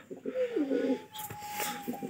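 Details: A male domestic pigeon in an indoor loft, in the morning, gives a loud, throaty coo that slides downward, with a faint steady whine behind it.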